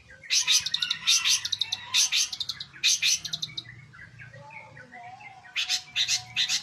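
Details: Long-tailed shrike singing energetically day and night: loud bursts of harsh, chattering chirps, the first four in quick clusters about a second apart, then a quieter gap with faint thin notes before two more scratchy bursts.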